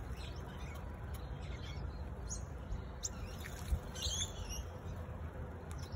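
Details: Singing honeyeater calling with scattered quick high chirps and a brighter burst of sharp, tumbling notes near the four-second mark, over a constant low-pitched rumble.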